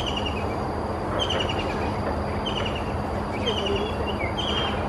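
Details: A white-throated kingfisher perched on a branch as the sky darkened calls loudly with short, high, descending chattering trills about once a second, over a steady low traffic-like rumble.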